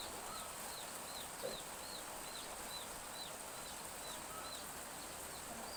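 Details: Village chicks on a drizzly morning behind a house give shrill, short downslurred peeps at a regular pace, roughly two per second, over a steady background of light rain.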